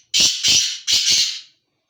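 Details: Male black francolin giving its breeding call: two loud, harsh, grating double notes, each pair a rasping buzzy phrase, delivered in quick succession over about a second and a half with clean silence around them.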